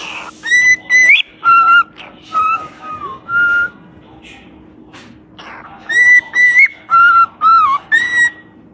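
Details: Singing parrot gives bursts of clear whistles, several notes sliding downward, then falls quiet with scattered clicks and soft sounds before resuming a rapid sequence of steady whistled notes.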